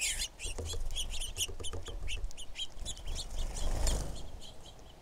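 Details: A female red-shafted Northern Flicker gives quick, sharp high chips, about four a second in an uneven run, over a steady low rumble of wind.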